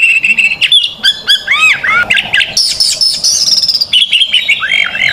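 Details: Fighting oriental magpie-robin singing full-throated 'buka paru' song to tutor young birds: a rapid chain of arched whistled notes, a thin buzzy high trill, then curving slurred whistles to finish.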